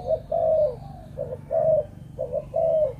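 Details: Spotted dove, described as a Malaysian-type bird, in a breeding setting: repeated low hooting coos, each phrase a short double note followed by a longer drawn-out coo, about one per second, with a steady low hum beneath.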